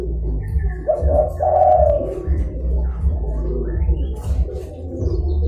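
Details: Zebra dove calling to lure wild doves and rivals: a single rolling coo sequence around the middle, a short stutter into a longer trilled phrase, with steady low hum and faint high chirping of other birds throughout.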